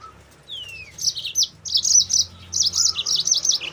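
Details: Yellow-fronted canary singing a lively, gacor-style tutor song used to train and lure other canaries. A thin falling whistle opens, then rapid high buzzy trills and chattering phrases repeat in quick bursts, over a faint low hum.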